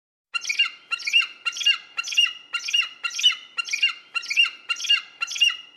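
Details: Eagle calls to frighten birds: a steady series of harsh, squawking notes repeated about twice per second, each note short and raspy, with no other sounds.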